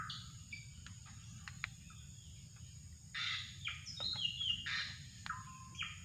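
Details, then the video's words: Drongo voice used for luring birds: sharp ticks and short buzzy notes, then a loud run of grating bursts and falling whistles, with an insect drone throughout. "mikat burung srigunting"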